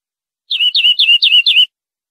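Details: European greenfinch on a clean tutor recording for training caged birds, with five separate descending whistled notes in quick even succession, each sliding down and then levelling off.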